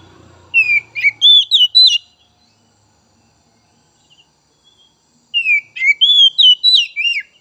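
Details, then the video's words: Oriental magpie-robin song used to stimulate untrained young and spotted 'trotol' birds: two rapid bursts of whistled, slurred and chipping notes about five seconds apart, with a brief low rumble at the start. "Merangsang Kacer Bahan dan Trotol!!"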